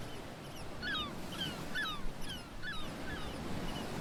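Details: Seabirds calling at Fossils Beach, Basque Country, with repeated drawn-out, downslurred mewing cries from several birds overlapping every half second or so above a constant rumble of sea waves.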